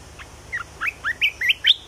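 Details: A red-whiskered bulbul sings a brisk phrase of about seven clear, slurred whistles. Each note bends quickly up or down and the phrase climbs toward a higher final note, with light background hum.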